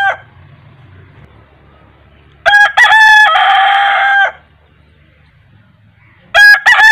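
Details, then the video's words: An Asian rooster crows at morning: after a few seconds of near silence, one strong crow rises from short choppy notes into a drawn-out harmonic note lasting almost two seconds, with another crow beginning just before the end. "rooster crowing at morning .Rooster crowing sound 2021.Voice of rooster crowing."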